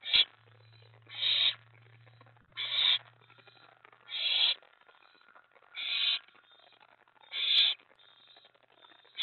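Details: Owls at a nest late at night on 24 May 2017 during mouse and rat deliveries: six rasping, hiss-like screeches about every one and a half seconds, with a faint low hum early on.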